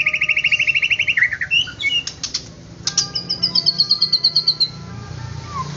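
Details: White-rumped shama song for provoking other shamas: a fast buzzy trill, varied chips and sharp clicks, then a very high, rapid pulsed trill that slowly descends, with low background rumble.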